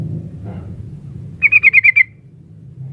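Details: A female sooty-headed bulbul calls the male with a quick series of six clear, ringing notes in about half a second, amid a soft low hum.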